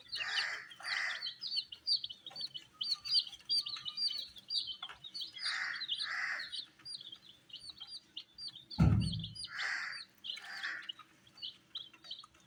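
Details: Colored baby chicks eating wheat give a dense stream of high, short downward peeps, many birds calling at once, mixed with repeated mid-pitched soft bursts and a sharp thump near the ninth second.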